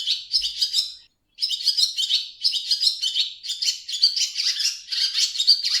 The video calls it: Swallow Sounds